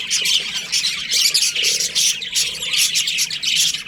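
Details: Many budgerigars chattering together in a breeding colony, breeding season: busy, overlapping high-pitched chirps and harsh squawks packed tightly together, rising and falling slightly in loudness.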